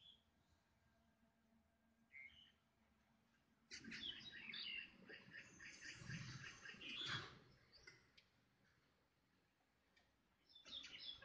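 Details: Three to four crows mobbing an Oriental buzzard at Starfish Bay, Hong Kong; after a quiet start, a dense three-second burst of harsh, rapidly repeated calls, then quiet again with a few more calls at the end.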